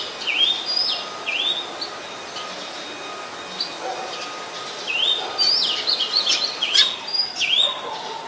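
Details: Oriental magpie-robin recorded on 7 January 2021 in Ubon Ratchathani, Thailand, with a Nikon P1000; bright rising whistled notes, some sliding down, come in bursts with short gaps and a faint steady low tone beneath.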